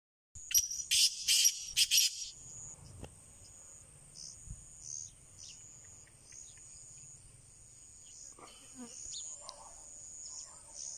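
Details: Black francolin (kala teetar) giving a harsh, grating call of about six loud rasping bursts in quick succession over two seconds. A steady high-pitched whine continues throughout, and faint scattered noises follow.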